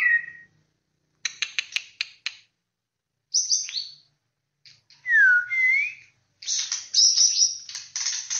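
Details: Song of a white-rumped shama in separate bursts: a short whistle, a quick string of dry clicking chips, a high trill, a loud swooping downslurred whistle, then a dense, scratchy warbled phrase.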